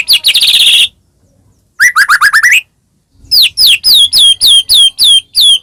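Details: Caged white-rumped shama song used to make another shama sing: a buzzy high burst, a quick series of rising notes, then a steady row of downslurred whistles about four per second.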